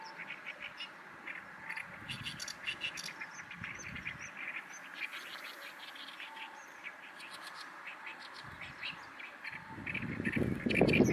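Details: Oriental reed warblers, numerous summer visitors gathered on a riverbed ahead of breeding, giving the distinctive 'gyogyoshi' song: quick harsh grating notes in fast repeated bursts, with low rumble and a loud disturbance near the end.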